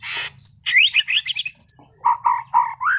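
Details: Caged competition-class white-rumped shama from Sragen singing vigorously: a dense burst of high buzzy notes and fast slurred whistles, then a string of lower, repeated mellow whistles.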